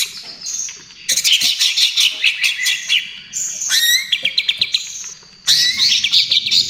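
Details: Trotol-style song of a greater green leafbird, used for luring and as therapy for other birds. Rapid chattering bursts alternate with short runs of rising whistled notes, separated by brief gaps.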